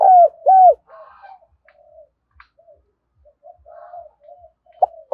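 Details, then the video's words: Morning lure cooing of a spotted dove meant to prompt wild doves to answer: two loud rounded coos, then a run of faint murmured notes, a brief sharp note near the end; otherwise quiet. "cu gáy mồi giọng chuẩn, tiếng gáy hạp bổi Gáy Gọi bổi vào lúc sáng giúp bổi gáy theo"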